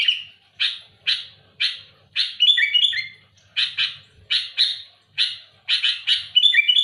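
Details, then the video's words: Sooty-headed bulbul singing loudly and actively to pressure rival birds with harsh, rough phrases. Short, scratchy chirps come about every half second, then quicker doubled notes with brief whistled twists. The background is quiet. "Suara burung kutilang gacor keras aktif menekan lawan"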